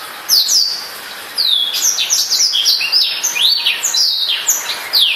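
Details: Newly bought black-throated canary, a pet bird, singing a rapid, continuous warble of high, sliding whistled notes and short buzzy trills. A brief quiet opening gives way to song that runs unbroken for about four seconds.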